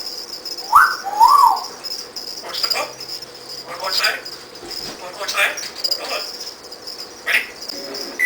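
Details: A 2-year-old African grey parrot that can talk, recorded at a reptile breeding facility. It gives two quick whistled notes early on, then scattered rough chatter and squawks over a steady high hiss, with many cricket chirps in the background.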